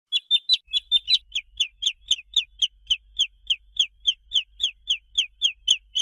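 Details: Domestic chicken chick peeping continuously: high, thin, downslurred peeps repeated about four times a second, steady and insistent, with a few quick overlapping notes at the start.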